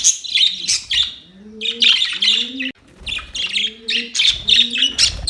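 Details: Budgies fighting, 25 October 2023: choppy, high scratchy chirps in short bursts, with a low, hollow cooing note repeated roughly every second in the background.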